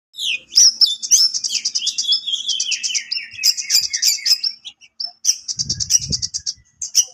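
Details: Oriental magpie-robin (kacer) singing a sharp besetan-style song said to rile rival birds: a rapid string of high, piercing whistled notes and buzzy trills, with a brief descending sweep early and quick repeated chips throughout, plus a few soft low thumps.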